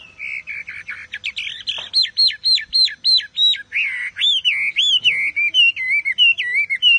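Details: Chinese Hwamei singing loudly: a steady whistle, then a long series of sharply looping whistled notes repeated about three times a second, ending in wavering slurred phrases.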